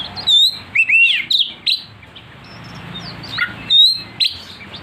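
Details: Oriental magpie-robin (kacer), provoked to sing aggressively, gives varied song of clear whistles and sharp rising and falling notes around high pitch, in short bursts separated by brief pauses, with faint low hum behind.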